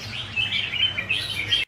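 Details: Red-whiskered bulbul, a kept songbird, delivering a brief, lively sequence of high whistled notes and chirps in quick succession, with a faint low hum behind.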